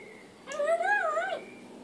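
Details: Talking African grey parrot giving a single drawn-out, wavering, voice-like note with rich overtones that rises, dips and rises again for about a second before stopping abruptly.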